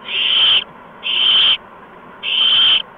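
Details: Owls at about 8 PM on 13 March 2015 while adults deliver mice and a gopher to three owlets: three loud, noisy hissing bursts of half a second or more, with uneven pauses between them, over faint steady hum.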